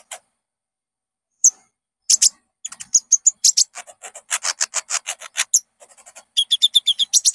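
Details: Konin, the Common Iora, singing in a recording meant to spur caged birds into full song: scattered sharp notes build into a dense, raspy run of rapid chirps, ending in a quick, bright, ringing series.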